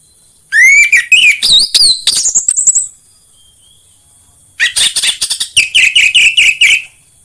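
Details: Orange-headed thrush, kept as a home cage bird, singing a stimulating song meant to make other birds sing: two loud bursts of rich whistled and chirping phrases with slurred rising and falling notes, separated by a quiet pause of about two seconds.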